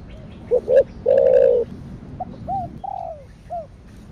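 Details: Spotted dove giving a thổ đặc thúc coo, called thổ sấm: two short hoots and a long, resonant coo, then a series of softer, down-curving coo notes.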